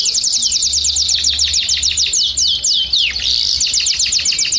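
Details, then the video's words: A Belgian canary sings a fast run of high, bright chirps and rapid trills, about four notes a second, with a low hum beneath. "Canários do Reino e Belgas - Canary Belga"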